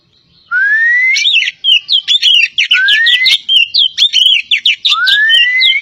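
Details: Oriental magpie-robin of the Javan poci variety opening with a rising whistle, then pouring out a fast, jerky string of varied chirps and trills, closing on another upward whistle.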